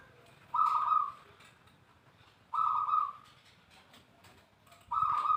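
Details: Zebra dove song played to prompt other doves to sing, heard as three loud, rolling cooed phrases, each under a second, separated by quiet gaps of about two seconds against faint background noise.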